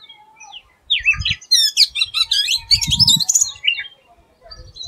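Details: Oriental magpie-robin, known in Bengali as doyel, singing an unusual song: a rapid jumble of clear whistled notes, slurs and twittering trills, bursts running about two seconds, with a faint low hum and soft thumps beneath.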